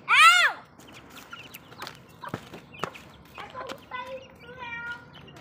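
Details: Hens feeding in a backyard flock: a loud, drawn-out, rising-then-falling squawk opens, followed by quiet, clipped clucks and a few short, tonal, nasal notes near the end.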